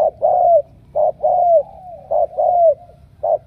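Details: Spotted dove from Ca Mau, selected as a strong cooer. Loud alternating short notes and long downslurred coos, evenly paced, close and clear.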